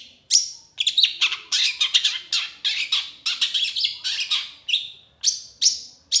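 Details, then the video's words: Excited 'gacor' singing of a long-tailed shrike, known locally as cendet: dense, scratchy, buzzy chatter of rapid high notes, nearly continuous, with a few clearer whistled accents near the start and end. "Cendet Gacor Emosi"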